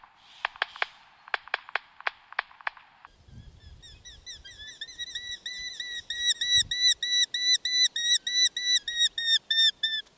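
Eurasian hobby giving a quick series of high, sharp 'kew-kew-kew' notes, first a short burst of about seven, then a long rapid run of about three per second.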